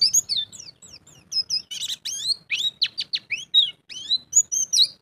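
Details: Ngalas-style song of a champion pleci (white-eye), full of mimicked phrases: thin descending whistles mixed with harsher buzzy bursts and quick chips, delivered in an irregular, lively stream.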